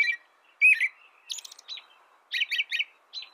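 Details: Song of an American robin: a few clear, falling whistled phrases mixed with higher thin notes and a quick triple burst near the end, over a faint low background hum.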